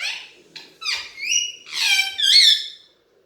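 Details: Alexandrine parakeet, a pet talking parrot, producing a quick run of harsh squeaky syllables and high tonal phrases, rising and falling, in about three seconds inside a small room.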